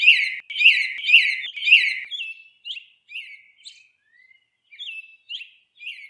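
Northern cardinal song: four loud, slurred whistles about half a second apart, then softer, more scattered slurred notes. No other sounds stand out.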